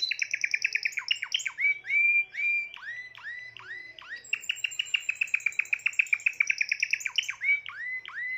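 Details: A Timbrado canary, the seventh of the keeper's birds for 2020, sings a continuous, bright song of rapid rolling trills and metallic, bell-like notes, shifting between phrases every second or so.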